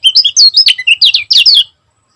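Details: Energetic, tightly packed chatter from a champion Lombok lemon-bellied white-eye: about a dozen sharp, high, twisting notes in under two seconds, then silence.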